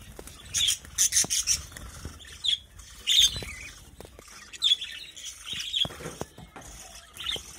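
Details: Birds raised in a small colony give sharp, squawky chirps, often in quick clusters of three or four, spaced by short pauses, with light scratching and rustling in the background.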